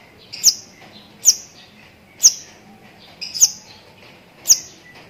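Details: Long-tailed shrike with lovebird-mimic song: sharp, very high single chips repeated roughly once per second, five in a row, over a quiet background.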